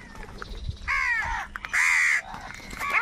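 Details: Crows squabbling over food give very loud, harsh, hoarse caws: two long drawn-out cries near one and two seconds, shorter rasping notes between, and another caw starting at the end, over faint outdoor background.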